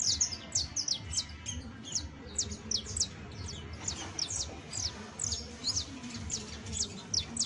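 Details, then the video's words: Saffron finch song, offered as a model to help train a canario basto criollo: a steady stream of short, high, sharply falling chirps, packed closely together over a low background rumble. "EL CANTO DE ESTA AVE VA A SERVIR PARA AYUDAR A TU CANARIO BASTO CRIOLLO [Sicalis Flaveola]"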